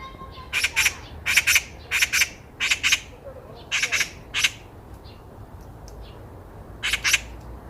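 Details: Loud Eurasian magpie met on a walk, giving short bursts of two or three harsh, grating notes, with several seconds of near silence before a last pair of rasps.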